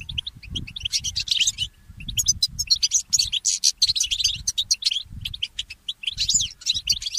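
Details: Goldfinch mule, a goldfinch hybrid, singing in the early morning: rapid high twittering and tinkling phrases with buzzy trills in bursts, over a low rumbling background.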